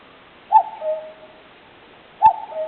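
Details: Common cuckoo calling in a woodland home to wild birds, recorded on a digital camera: two cuck-oo calls, each a sharp higher note dropping to a longer, lower second note, about 1.7 seconds apart, over quiet background hiss.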